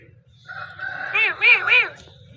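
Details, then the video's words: Parrot talking: a rich, voice-like utterance building into three rising-and-falling harmonic syllables, the last two loudest, over quiet room hum. "Amazing parrot voice talking sound parrot"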